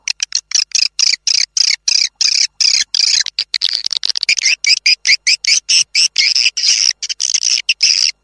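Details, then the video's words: Swiftlet calls from an outdoor test of a lure meant to draw swiftlets into a house to nest: rapid, high, dry chattering pulses in dense bursts separated by short silences, steady throughout. "TIẾNG CHIM YẾN CHUẨN 2026. ÂM THANH DỤ CHIM YẾN VÀO NHÀ"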